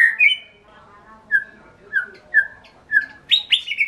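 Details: White-rumped shama giving a series of short, clear whistles repeated roughly every half second, closing with a louder, richer burst of notes.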